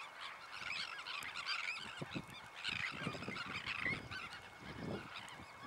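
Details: Sandwich terns heard as a dense, noisy chorus of grating, overlapping calls that swells and fades in waves every second or so, with several louder harsh cries standing out.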